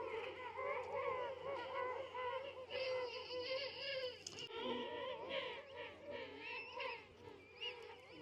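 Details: Huge king penguin colony of over a million birds at Salisbury Plain, South Georgia Island, parents with brown-downed chicks: overlapping warbling, trumpet-like calls rising and falling without pause, a man's voice speaking briefly over the din.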